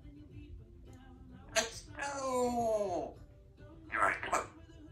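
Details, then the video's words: A female Congo African grey parrot practising her words and sounds gives a sharp click, a drawn-out harmonic voice-like phrase falling in pitch, then two quick squawky syllables; a quiet room hum underneath. "practices her words and sounds"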